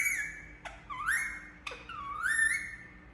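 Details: Indian ringneck parakeet chirping in squawky, sharply rising notes. Short clicks come before the notes, which then swoop up and waver. Three main calls are spaced about a second apart.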